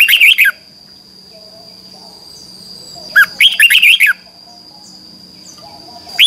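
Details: Red-whiskered bulbul singing in a morning contest: bursts of fast, tumbling whistled notes, one longer phrase of about seven notes, with quiet gaps and a faint high tone behind.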